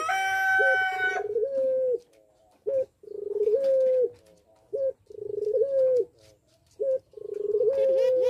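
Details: Puter pelung Barbary dove in breeding condition, caged, cooing in a steady cycle of long level coos. Each long coo is separated by a short clipped note and brief pauses. A bright harmonic whistle from another bird opens the recording.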